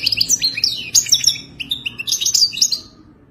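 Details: European goldfinch singing to attract a mate, wild bird, for teaching a captive goldfinch: short tinkling, liquid twitters tumbling rapidly in two close phrases before fading out.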